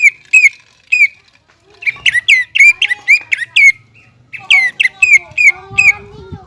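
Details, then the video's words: Greater green leafbird in full song, recorded as a tutor for novice birds. Clear, strongly slurred whistles are delivered in rapid, rhythmic series, roughly three to four notes per second. Brief rests and faint low background hum. "CUCAK IJO GACOR"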